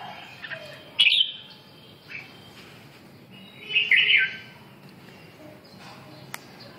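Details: Red-whiskered bulbul singing two brief, rich warbling phrases several seconds apart, with quiet background between them and a sharp click near the end.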